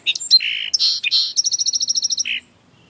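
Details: Song sparrow answering song sparrow song played from a Bluetooth speaker on a back porch at dusk, perched about 15 feet up in a tree: a few sharp opening notes and buzzy phrases, a fast trill of about a dozen even notes, then a short buzz.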